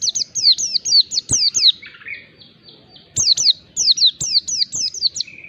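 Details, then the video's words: Mountain white-eye, a male bird, used as a lure to provoke a lazy bird into singing: rapid high sweeping whistled notes falling in pitch, delivered in quick bursts, with a brief pause and a thin buzzy trill between phrases. "pancingan pleci ngalas bikin emosi lawan PLECI MALAS BUNYI LANGSUNG RESPON"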